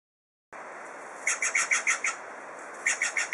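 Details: A pair of blue jays fighting and arguing: a quick run of about seven short, harsh notes, a brief pause, then four more in the same rapid rhythm, over a steady background hiss.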